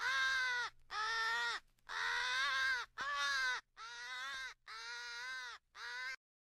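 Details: Rally calls of American crows, assembled to sound like crows fighting an owl for crow hunting: six drawn-out, raspy caws with rich harmonics, steady and evenly spaced, ending in silence.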